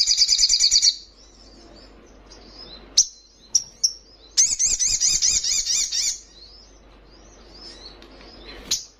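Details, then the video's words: Young Brown-throated Sunbird singing energetically. A rapid, high buzzy trill lasting about a second, then sharp separate chips, then a longer pulsing trill with wavering notes, then scattered faint chips. "Sogon trotolan paling gacor"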